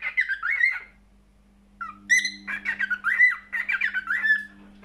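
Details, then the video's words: A cockatiel delivers squeaky, warbling phrases: one short burst, a pause, then a longer run of chirps and rising and falling whistles. "Best Cockatiel singing"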